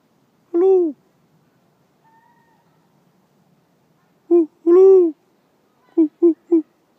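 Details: Great horned owl of a male and female pair calling back to a person: a single deep hoot, a long pause, then a short hoot, a longer one and three quick short hoots in sequence.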